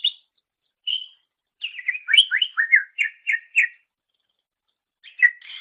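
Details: Song of a greater green leafbird from a master recording for training songbirds: two short whistles, then a rapid sequence of slurred chips and repeated notes, silence, and a final sharp phrase.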